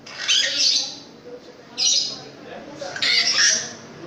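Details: Long-tailed shrike, a long-tailed bird with a very loud voice, kept as a cage bird: three bursts of harsh, rasping, noisy calls spread broad and high, roughly a second apart, with low murmuring between them.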